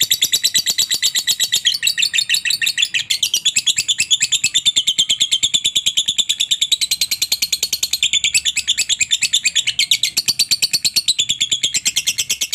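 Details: Lovebird master recording for training other lovebirds to sing, a long ngekek: a continuous, rapid, shrill chattering trill of high notes repeated several times a second, unbroken for the whole stretch, no other sounds.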